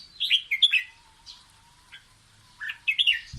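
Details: Red-whiskered bulbul singing playfully to teach its chicks: bright whistled, warbling notes in two short bursts, with a quiet pause between them and a faint steady hum beneath.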